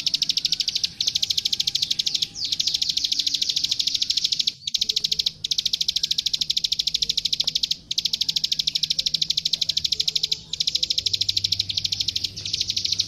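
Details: Long stretch of plain prinia fighting song, called klik klik gacor tarung, intended as master recording for young birds: dense, unbroken high clicking runs interrupted by a few brief pauses, constant in tempo and pitch.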